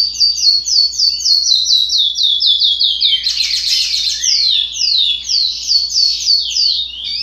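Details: Juvenile chestnut-bellied seed finch (curió), 60 days old, song still developing: a long run of quick, high downslurred notes, rapid and irregular, with a brief buzzy burst midway and a faint low hum underneath.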